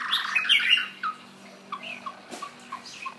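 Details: Shama delivering a brief, bright burst of mixed whistles, followed by a series of soft, short whistled notes spaced irregularly; a faint low hum and a single click are also heard.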